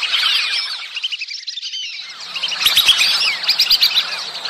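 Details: Whistling ducks, known locally as baliwis or batiki, calling in the mating season: a dense chorus of overlapping high, thin whistles and chirps, many birds at once, brief quieter gap near the middle.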